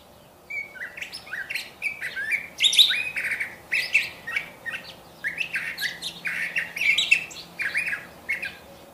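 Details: Curve-billed thrasher singing a long, varied run of rich warbled phrases, mostly whistled notes with buzzy, rising and falling slurs, delivered almost without pause and growing louder near the middle; quiet background.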